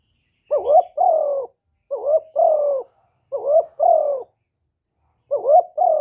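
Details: Full calling, urging and cooing song of a spotted dove, made without background noise to prompt other doves into calling. Four phrases, each a bouncy doubled note then a longer mellow coo sliding downward, with brief silent gaps.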